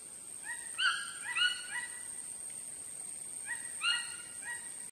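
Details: Chachalacas giving bursts of overlapping harmonic notes, several in quick succession near the start and again after a pause, some notes lower and softer, against steady high background hiss.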